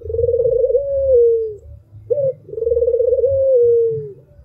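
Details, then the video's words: Barbary dove (puter), an albino bird, delivers two long, low coos, each starting with a vibrating trill and smoothing into a sustained falling note, separated by a short sharp upward note; faint low background hum. "SUARA BURUNG PUTER MERDU"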